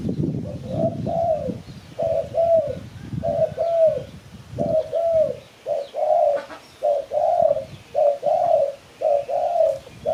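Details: Spotted dove calling, a recording played as a lure for trapping birds: paired mellow coos repeated about once a second, each second note slightly longer, with low rumbling noise under the opening seconds.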